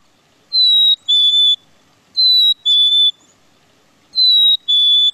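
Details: Black-capped chickadee, a year-round Quebec bird said to sing more now than later in the year, gives a clear, pure two-note whistle, second note slightly lower, repeated three times about every two seconds against a quiet background.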